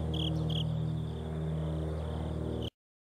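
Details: Common kingfisher living in a stream through a residential area, a tributary of the Tama River in Tokyo, recorded 26 September 2010. Two short, shrill high whistles in quick succession, then a third, over a loud low drone of aircraft from a nearby airfield.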